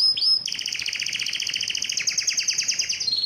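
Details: A yellow canary sings a sustained rapid trill, the closely spaced notes forming a long rolling tour that steps slightly upward partway through, after a brief rising whistle at the start.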